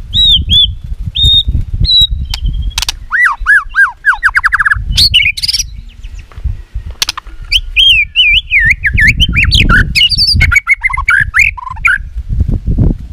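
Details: Fighting song of a white-rumped shama, played to stimulate and train birds: clear whistled notes, a run of rapid arched slurs, then a long varied stretch of twisting, warbled phrases with sharp clicks, over low rumble.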